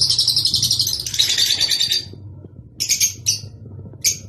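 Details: Rosy-faced and Fischer's lovebirds, a call played to stimulate breeding: dense, shrill chattering for two seconds, then a pause and short clipped bursts of high twittering.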